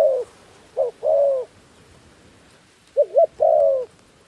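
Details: Caged decoy dove calling to lure wild doves down near a trap: two cooing phrases, each a short wavering double note followed by a longer steady coo, separated by about two seconds of quiet.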